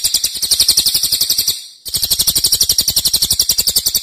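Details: A Cililin gives a loud, long-running song used as a tutor recording for songbirds: a very high, shrill, rapid trill of tight repeated notes, about four per second, broken once by a brief pause.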